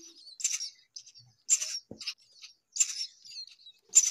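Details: Baby myna, hungry, gives harsh hissing begging bursts roughly every second and a half, with thin high twittering notes in between.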